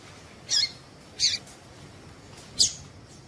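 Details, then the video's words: Three short, high, slightly buzzy chips at uneven spacing from a female Double-collared seedeater, the call meant to excite male coleiro tui tui into song. Faint hiss underneath. "Piado de fêmea coleiro tui tui"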